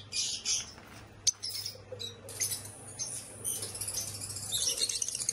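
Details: A pair of Fischer's lovebirds gives thin, high squeaky chirps and twittering in short bursts, with a sharp click near the first second and a quiet background.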